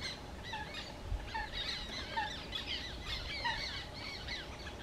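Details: At Łąka reservoir on 14 May 2021, black terns utter scratchy, squealing calls in irregular bursts, a few birds overlapping, with a soft low thump near the start.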